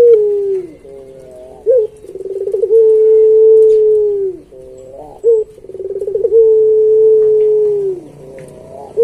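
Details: Barbary dove (puter) in full pelung song for training pet doves: a short hiccup coo, a bubbling trill, then a long sustained hum that falls away, repeated three times.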